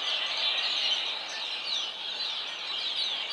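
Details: A flock of red-winged blackbirds singing together, forming a dense, unbroken wash of high, shrill chattering and squeaky notes with no single voice standing out, steady in loudness throughout.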